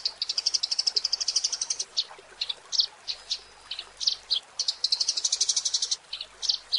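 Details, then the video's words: Eurasian tree sparrow on a training track for songbirds: fast, high chirps in dense runs of about four per second, broken by short gaps and single sharp notes, over a faint hiss. "SUARA BURUNG - Masteran Terbaik Gereja"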